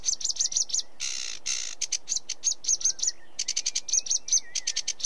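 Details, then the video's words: Sedge warbler song: rapid chattering runs of dry, repeated notes, broken by two harsh buzzy rasps and thin whistled slurs, delivered in fast, varied bursts. "Sedge Warbler Bird Call Bird Song"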